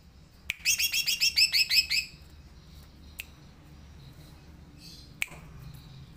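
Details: Green leafbird singing vigorously: a quick burst of about nine bright, high chirps lasting just over a second, followed by near silence broken by a couple of sharp clicks.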